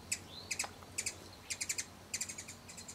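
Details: Angry hummingbird at a feeder in the Great Smoky Mountains, objecting to nearby people: short clusters of sharp, very high chittering chips, one brief rising squeaky note near the start, bursts about every half second.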